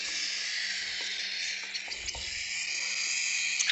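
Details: Cockatiel chicks being hand-fed at breakfast time in a bird shop in San Diego: a steady, raspy, hissing wheeze held throughout, with a faint low electrical hum underneath.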